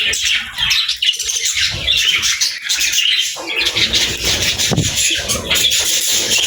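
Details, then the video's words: Budgerigars described as happy birds, keeping up a busy, unbroken stream of high chirps and scratchy warbles, several birds overlapping, with soft low rustling beneath. "Budgie Chirping Sounds: Happy Birds"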